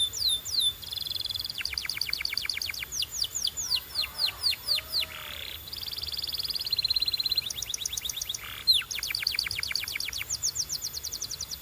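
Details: Canary training song for coaching quiet canaries to sing: rapid rolling trills and buzzy tours alternate with series of steep falling whistles, bright and high, phrases shifting every second or two over a faint hiss.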